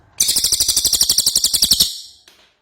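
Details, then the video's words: Ashy tailorbird in lively gacor song: a dense, quick series of piercing high notes forms a trill of about one and a half seconds that fades at the end, followed by one faint note. "Cililin Gacor"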